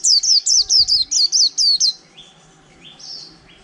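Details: Wild-caught white-eye, kept in a cage over a month, sings a short líu phrase of about nine rapid high slurred notes, then gives a few thin, softer rising calls.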